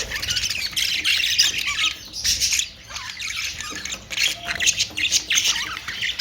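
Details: Budgerigar calls: loud, raspy squawks and scratchy chatter in uneven bursts, broken by a few short quieter gaps.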